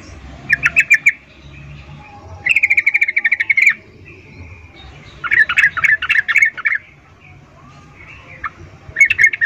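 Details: Female yellow-vented bulbul calling to males with an arousal call in the chattering ngecuplik style: four bursts of rapid, bubbly chirps near mid pitch, each lasting about half a second to a second, separated by short pauses.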